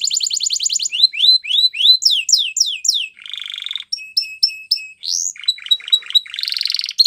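A Belgian canary sings a fast, varied song of bright trills, rising sweeps and rolling buzzy phrases, changing pattern every second or so, all high-pitched.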